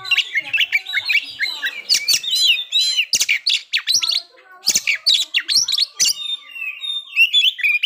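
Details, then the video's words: White-rumped shama, a kept songbird, singing to provoke breeding condition and aggression: a rich run of whistled, slurred phrases and sharp chips with brief pauses, varied and continuous. "pancingan agar kacer capat birahi dan emosi terampuh"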